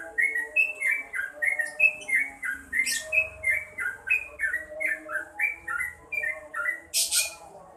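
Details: Lively yellow-vented bulbul song: a rapid run of bright, downward-slurred whistled phrases, some notes doubled, about three a second, with two short bursts of broadband hiss.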